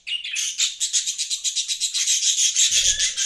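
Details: A budgie chirps rapidly, about four pulsing high notes a second in an even, trilling run, with a soft low thud near the end.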